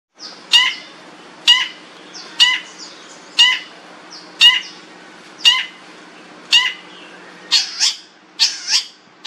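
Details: Long-tailed shrike giving loud harsh notes with stacked harmonics, repeated roughly once a second, ending in a few rougher broadband squawks close together.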